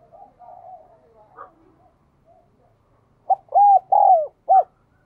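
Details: A spotted dove in the bell-like Vietnamese 'đồng kim' voice style. Soft, wavering low coos come first. Then a single loud phrase follows: a short attack note, two long arching coos and a crisp final note.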